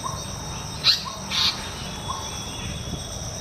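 An Asian paradise flycatcher gives two harsh, raspy notes half a second apart, over a steady high insect drone.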